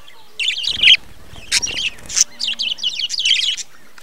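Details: Warbling chatter from a budgerigar breeding colony, quick scratchy chirps in rapid bursts, broken by a few sharp squawks, with a low hum underneath.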